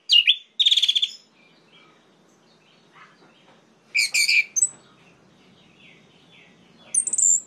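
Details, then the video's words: Orange-headed thrush song intended to provoke rivals: scattered loud bursts of harsh, buzzy high notes separated by pauses, with soft faint twitters between and a thin high whistle at the end. "PUTARKAN INI 1 MENIT SAJA‼️ DIJAMIN ANIS MERAH LAIN LANGSUNG MENGAMUK"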